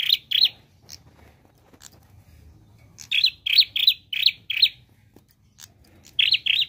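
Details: A prinia in full 'gacor' song with 'nembak' variations delivers a fast series of sharp, buzzy chirps, about five in a row after an opening pair, then another double note at the end.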